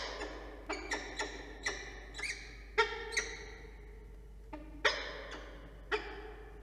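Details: Peregrine falcon at a nest with three eggs under incubation, 27 September, early morning (05:00-08:30), NSW: short, harsh, nasal notes, about a dozen in six seconds at an uneven pace, some clipped, some drawn out; faint hum.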